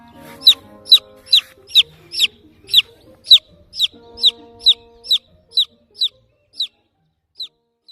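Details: Lost baby chick searching for its mother hen, chirping a run of about sixteen sharp, falling peeps, close together at first, then spacing out and fading, with soft background music early on.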